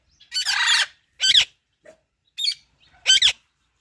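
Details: Pet parrot giving loud, harsh, buzzy squawks in four separate bursts about a second apart: first a longer grating screech, then shorter doubled rasping calls, with a faint soft note between them in an otherwise quiet room.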